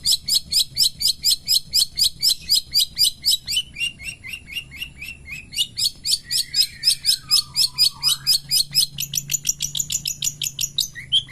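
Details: Morning pastol song of a long-tailed shrike: a steady stream of crisp, high, clipped chirps about four per second, a brief descending whistle near the end, then faster twittering.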